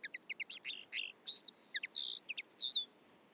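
A Common Linnet sings a quick, jerky twitter of varied notes, some sweet whistles and some harsher, with a thin steady high whine running underneath.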